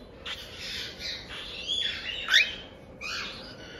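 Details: One-month-old cockatiel chicks from a Hokkaido breeder, Tokachi, giving soft, rasping 'jaa-jaa' begging calls. A few hoarse, drawn-out squawks come at a low level, with one sharper rising note in the middle.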